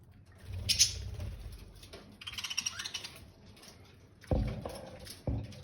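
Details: Budgerigars in Jabalpur, Madhya Pradesh, India give bursts of high, scratchy chirps and warbling chatter, followed by low thumps; Budgerigar chatter calls.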